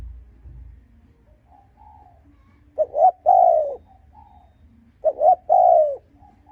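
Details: Spotted dove calling to lure and provoke rival males: two phrases of quick double coos followed by a long falling croon, spaced about two seconds apart, with faint softer coos between.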